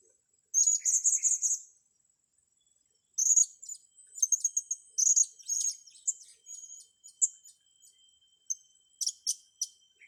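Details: Blue-crowned hanging parrot, with young birds being trained. Very high, thin, sibilant notes arrive in quick trilled bursts: a dense half-second run, a pause, then scattered short chirps and squeaky notes repeated irregularly.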